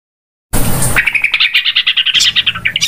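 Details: Yellow-vented bulbul trapping lure: after a brief loud noisy burst, a steady string of quick, bright chirps repeats several times a second, with extra chatter near the end.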